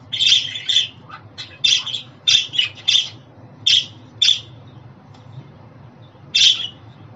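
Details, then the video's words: Grating, bright chirps from a pet budgerigar come in an irregular string, some slurred together, followed by a pause and one final chirp. "Muhabbet Kuşu Sesi, Kuş Sesi! Muhabbet kuşu ötüşü, muhabbet kuşu çağırma sesleri!"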